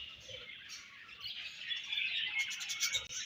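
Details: Budgerigars chirping while feeding; soft high warbling that grows louder, ending in quick clicking chatter.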